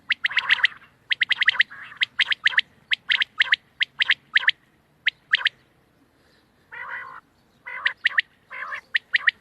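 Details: Quail calling on 31 March 2024: rapid runs of sharp clipped notes in threes, several phrases in a row, broken by a couple of buzzy rasps.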